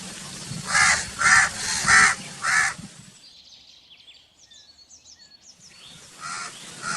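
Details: Four rasping crow caws in a rapid, even run, then a lull filled with soft small-bird chirps before another caw starts.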